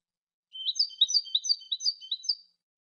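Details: Singing European goldfinch, cante from a new CD: a two-second run of sweet, slurred, tinkling twitters, each note swooping quickly in pitch, delivered at a steady lively pace.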